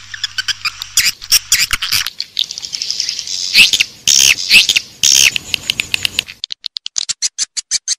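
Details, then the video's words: Raja Liur Emas lure used to call edible-nest swiftlets into a nesting house: high chirps and clicks with several loud buzzy twitter bursts over a faint low hum, ending in evenly spaced clicks. "Suara Tarik Walet Raja Liur Emas"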